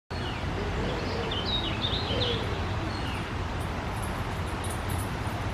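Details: Unidentified warbler singing on June 14: a short run of high, thin, slurred notes rising and falling, over a steady low rumble of traffic and outdoor noise.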